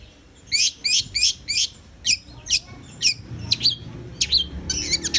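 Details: Long-tailed shrike singing a series of scratchy, buzzy bursts, evenly spaced at first, then faster chattering notes toward the end, over faint low noise.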